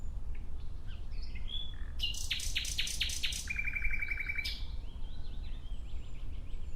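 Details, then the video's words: Nightingale: strong, separate repeated notes, then a quick, lower rattling trill, ending with a bright note. Faint whistles and chirps fill the gaps before and after. "Relaxing clear sound of Nightingale"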